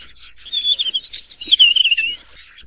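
A desert wheatear gives two short, high, scratchy warbling phrases about a second apart, each trailing slightly downward, over faint background hiss.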